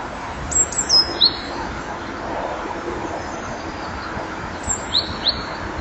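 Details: At 07:24 on 22 September 2011, a female common kingfisher on a perch at a nest-box camera, watchful and scratching, gives two bursts of sharp, high, shrill whistles, three or four quick notes each, a few seconds apart, over a steady hiss.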